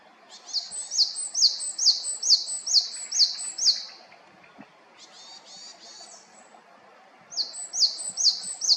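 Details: Japanese tit calling from Haenam, South Korea: rapid series of short high buzzy-ringing notes, about two per second, in two bouts separated by a quieter descending trill and a pause; faint low background hum.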